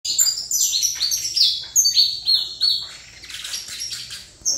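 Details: Saffron finch singing in the Trator style: rapid bursts of high, sharp chirps and descending slurred notes, delivered in quick phrases with brief gaps.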